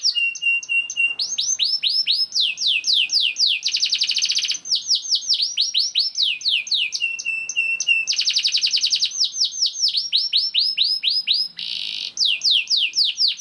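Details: Loud, varied song of a young canary played to spur other canaries into singing. Repeated downward-swept whistles alternate with dense buzzy rolls and steady strings of fast chirps over a quiet background.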